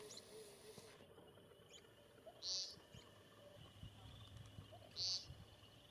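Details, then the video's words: American Woodcocks in the US Midwest in early spring, calling at dusk as darkness settles during their mating display: two short, nasal, buzzy peent notes about 2.5 seconds apart, the first bird soon joined by others, over a faint insect hum. "suddenly the first Woodcock started calling soon followed by others"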